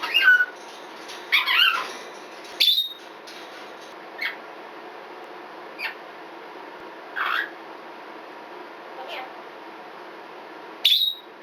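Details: Twelve-year-old female red-bellied parrot kept as a pet giving short speech-like notes, then sharp, high, beep-like screams spaced a few seconds apart with quiet gaps, ending with one loud piercing scream.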